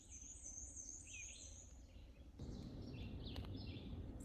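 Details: Hermit thrush singing faint, flute-like phrases that climb and flutter in high pitch along a farm trail through old-growth oak woodland in spring, under steady low rumbling outdoor noise that grows louder midway.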